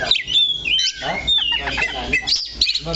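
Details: Oriental magpie-robin perched at one spot gives thin drawn-out whistles followed by a jumble of chattering notes, with slight background noise.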